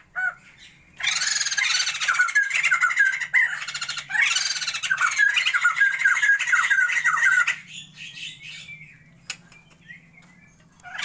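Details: A captive pair of Sumatran white-crested laughingthrushes kept for a breeding attempt: two long bursts of loud, harsh, cackling squawks with rapid rising chatter, separated by brief pauses, then quieter scattered notes.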